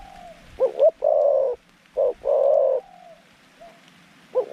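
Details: Decoy zebra dove luring wild doves to a trap, giving quick paired notes then long rolling buzzy coos, a soft falling coo between phrases.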